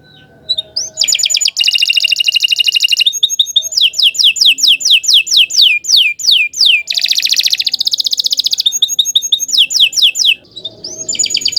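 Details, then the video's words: Canary song, long and lively, offered as a tutor recording for young birds: rapid high rolling trills, fast runs of descending whistled notes and buzzy phrases, alternating in long continuous sequences, very clean with almost no background. "Kicau Burung Kenari II GACOR PANJANG Cocok untuk Masteran"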